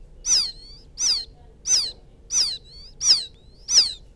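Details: Chick of the rice-field quail calling to its mother as a trapper's lure: six evenly spaced, shrill descending chirps about every 0.7 seconds, each trailing a soft thin whistle.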